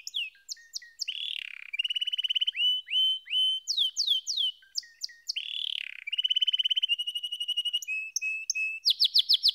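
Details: Canary song in quick-changing tours: steep whistled sweeps, sustained buzzy rolls, descending slurred notes and rapid chirping trills, repeated in bursts with brief gaps between phrases.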